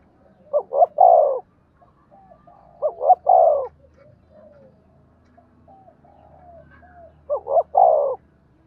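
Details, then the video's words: Spotted dove, giọng đồng voice, used to lure and provoke wild birds; three well-spaced phrases of two short coos and a longer rolling note, with soft faint coos and low hum between. "Cu gáy giọng đồng dùng dụ và kích chim giọng thổ hiệu quả"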